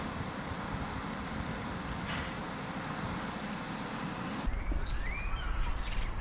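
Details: Waxwing on the Isle of Man, captured on a Zoom H1; faint, high, ringing trills repeat through the first seconds under steady low traffic-like rumble, then a louder burst of noise with a few brief chirps.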